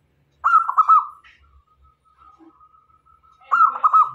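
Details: Local zebra dove singing energetically as a lure to attract male and female doves: two bursts of rapid, rolling cooing notes about three seconds apart, a faint thin tone lingering between them.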